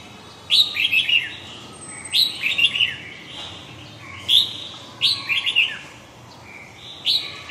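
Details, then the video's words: Huế gọng dài style song of a red-whiskered bulbul: five short, lively whistled phrases of tumbling notes, repeated roughly every one and a half seconds. "huế gọng dài"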